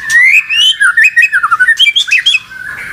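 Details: White-rumped shama, said to be stirred up after falling silent, pouring out a fast run of clear whistled notes that slide and twist up and down, with rapid chopped syllables in the middle.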